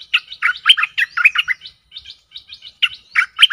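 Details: Stripe-throated bulbul decoy song aimed at aggressive wild birds: continuous lively bubbling warbles with sliding high notes, brief breaks, then another loud bubbly run.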